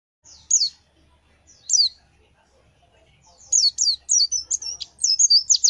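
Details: Fighter-type pleci white-eye, gacor and chattering, giving two lone high chirps, then a quick run of bright, twisting whistled notes.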